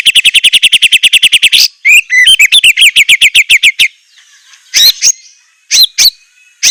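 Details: White-rumped shama with a luxurious fill song: a fast steady chatter of about four notes a second, then varied whistled and harsh phrases, with isolated sharp notes after a quiet spell.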